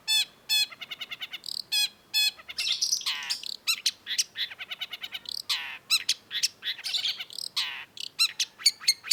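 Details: Long-tailed shrike, locally cendet, in full 'gacor' song: dense, varied, scratchy phrases of rapid repeated chips and trills, harsh buzzy notes, and sharp high whistles delivered almost without pause for nine seconds.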